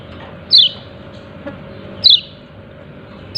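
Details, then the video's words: Yellow-breasted white-eye giving its "ciak ciak" call: short, sharp, high descending chirps, three in the clip, spaced about 1.5 seconds apart, over a steady low hum. "Pleci dada kuning memanggil ciak ciak"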